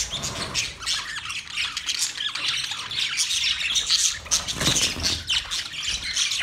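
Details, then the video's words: Budgerigars, Australian parrots, chattering together: a dense, continuous stream of scratchy squawks and rapid high chirps that overlap without pause, with short louder bursts near the fourth and fifth seconds. "Budgies chirping sound"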